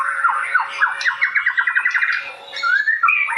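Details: Young white-rumped shama from the wild, said to be dancing, gives a rapid run of short chattering notes repeated about eight times a second, framed by brief whistled slurs, over a steady faint hum.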